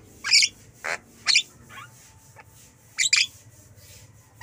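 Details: Pet Javan myna (jalak kebo) uttering loud, rasping squawks and a buzzy note in irregular bursts, with a pair of harsh calls near the end and a faint low hum behind.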